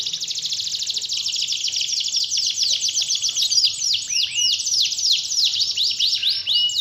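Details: Canary singing as bait to make a lazy canary sing: an unbroken, buzzy high trill for two seconds, then a run of clear, swooping downward whistles mixed with rapid chattering notes.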